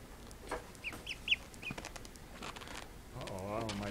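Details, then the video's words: Freshly woken call duck ducklings give a few sharp, high peeps early on, then a person starts speaking and their voice takes over the end. "Baby Call Ducks 2"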